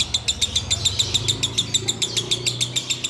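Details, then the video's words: Ngekek-style chatter from a sooty-headed bulbul, recorded in Ramadan while waiting to break the fast: crisp, high, clipped notes repeated steadily about three to four times a second with faint low hum underneath. "Ngekek Biang Kerok"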